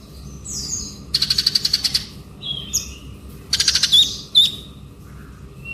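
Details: Ngobra song of a male konin: two bursts of rapid, buzzy trilled notes separated by short high whistles and slurred chirps, against a quiet background.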